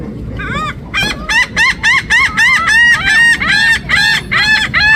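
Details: Loud birds give a steady run of nasal, honk-like calls, each note bending up then down, about three notes a second with several birds overlapping, over a faint low background rumble.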